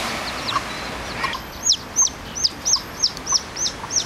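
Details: ['Newly hatched chicks with their hen in the Parque de las Naciones, Torrevieja, a park with free-roaming fowl, geese and pigeons; high, thin, downward-slurred peeps repeated about three times a second over a steady background hum.']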